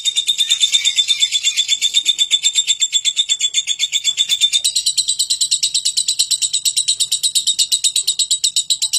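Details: Long, unbroken lovebird ngekek, a high, grating trill of quick repeated pulses that keeps an even pace for nine seconds.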